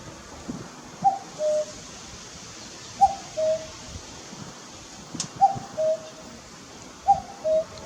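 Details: A common cuckoo perched on a utility pole by a garden in late May, around 5 pm, gives its mellow two-note 'cuck-oo', the second note lower, four times about every two seconds over a soft background hiss.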